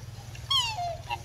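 A black swan gives one brief, bugling note that starts high and slides downward, rich and slightly nasal, over a steady low hum.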